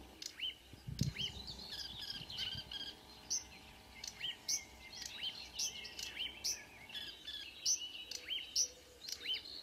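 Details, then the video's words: Marsh warbler song at 5 a.m., 2 June 2009, Kråkstad near Ski, Norway: a long run of upslurred whistles and piercing high squeaks repeated about twice a second over quieter chattering, with a brief low knock early on. "The song of a *Acrocephalus palustris* Myrsanger / Marsh Warbler"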